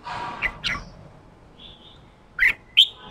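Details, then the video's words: Red-whiskered bulbul in a cage, a freshly caught wild bird urged into ché calling for competitive singing: soft chattering notes at the start, then a pause and two bright, sharp rising chips near the end. "Kích chào mào bổi ra giọng ché chào mào ché kích trống căng lửa ché"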